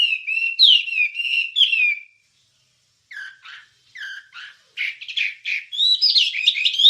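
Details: Wambie singing, recorded as masteran material for training songbirds: slurred whistles and chirps for two seconds, a second of silence, then scattered short notes building to a dense, high, twittering burst.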